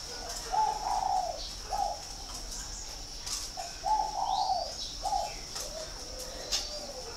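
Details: Spotted dove from a bird farm in Ba Vì, Hanoi, northern Vietnam, giving soft, hollow coos in short phrases with a rising-then-falling middle note, spaced by brief pauses, over a steady high-pitched hum.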